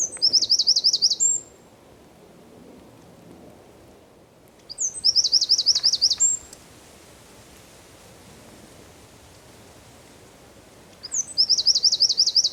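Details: Wren song recorded 4 December 2019 in San Miguel de Daño, Zamudio: three bursts of high, rapid trilling, each about one and a half seconds long, separated by roughly three-second quiet gaps.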